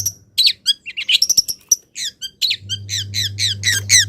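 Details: Long-tailed shrike held in a cage, misted and sunning in the morning, delivering a varied chattering song of quick high chirps, trills and whistles, backed by a low humming drone in the second half.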